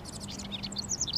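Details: Male house wren singing on a sunny, mild Mother's Day near a fence with honeysuckle and bushes it treats as its territory: a brief string of high, quick chirpy notes with faint low hum beneath.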